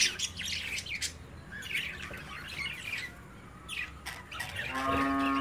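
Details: Budgie chicks playing in a cage watched by their parents; scratchy squawks and chirps in uneven bursts, with a low, drawn-out moaning tone in the background at the end.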